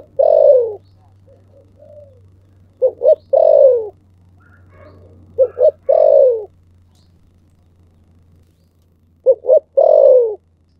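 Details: Calling spotted dove, 'thổ sấm' voice: four three-part coos spaced two to three seconds apart, each two short pulses then a longer rough note sliding downward, over a constant low hum.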